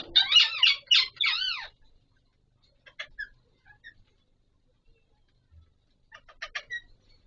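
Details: Pahari Kashmiri parrots, Alexandrine parakeets, in a mating session; a loud burst of four harsh rasping squawks, a pause with faint clicks, then a quick cluster of short chirps.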